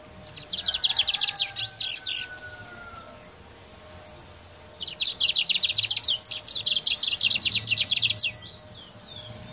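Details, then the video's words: Brown mustache from Guyana pouring out two bursts of rapid, high, metallic repeated notes. The first lasts about one and a half seconds, the second over three seconds after a pause. "Guyana Brown Mustache Singing"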